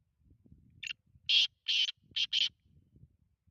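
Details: Black francolin call: one brief note, then two long harsh rasping notes and a quick double ending, loud and grating over faint low rustling.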